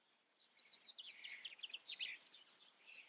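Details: Common starling in the Eifel, distant and faint: a quick chattering run of short, varied high notes, some squeaky and some slurred, tumbling along with no steady beat.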